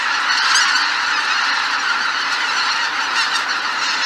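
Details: Huge flock of greater white-fronted geese leaving the roost at Miyajima-numa marsh, 2023, filling the air with constant overlapping yelping honks, some clear high individual calls standing out early and late.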